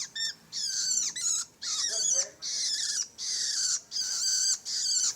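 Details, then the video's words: Juvenile long-tailed shrike making harsh, hissing high calls in regular bursts, with a faint human voice in the middle. "anakan burung pentet"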